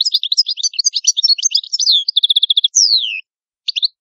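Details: Italian European goldfinch (cardellino) song: a tumbling stream of liquid twitters, a rapid even trill, a drawn-out descending whistle, then a brief pause and a final chirp pair.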